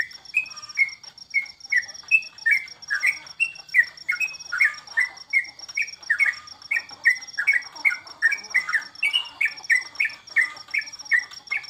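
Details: Sooty-headed bulbul (trucukan) during the COVID break from bird contests. A long energetic sequence of short whistled and slurred notes, often tumbling together, about two per second, with a continuous rapid high-pitched ticking throughout.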